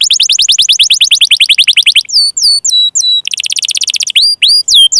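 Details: Canary song for coaxing quiet or young canaries into singing: a fast rolling trill, then a few hooked whistled notes, another brisk trill and more hooked whistles.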